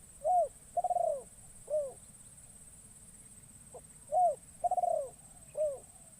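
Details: Newly trained spotted dove used as a lure in the forest, its first time out: two phrases of three low coos, the middle one long and vibrating, separated by a quiet gap, a thin steady hiss behind.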